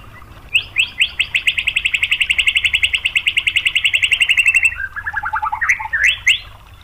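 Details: White-rumped shama song used as a lure to make other shamas sing. A few rising sweeps lead into a long, very fast rattle of about forty high clipped notes lasting four seconds, followed by lower chattering and upward-slurred whistles.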